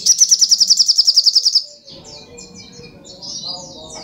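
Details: Fast ringing trill of about fifteen high notes from a brown-throated sunbird, followed by softer scattered twitters against low background murmur.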